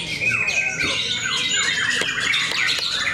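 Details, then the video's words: White-rumped shamas battling in song at a contest in Cikeas: high, shrill whistles and descending slurred notes tumble over one another in a busy, unbroken stream. "Serunya pertarungan murai batu"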